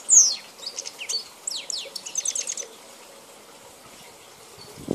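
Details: Wild European goldfinch of a Balkan form, recorded in 2010, giving a short burst of high, tinkling twitters and quick descending notes over roughly two seconds, then a quiet pause and a low thump at the end.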